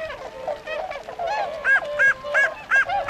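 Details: Near a pond in Azumino, Nagano, Japan, on 22 February 2013, tundra swans leaving to feed in rice fields give loud, clear bugling honks in a fairly even rhythm, about three per second, over softer calls.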